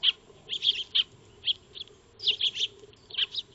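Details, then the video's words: Eurasian tree sparrows, or maya birds, feeding in a backyard, recorded by a motion-sensing solar trail camera; scattered sharp chirps, some paired, spaced irregularly with short gaps, and a soft background hum. "Eurasian Tree Sparrow (Maya Birds) Feeding"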